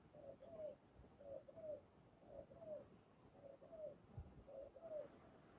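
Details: During dove trapping with a decoy, a spotted dove gives repeated low coos, pairs of notes ending in a longer downward-bending coo, about one phrase per second. A single click is heard midway.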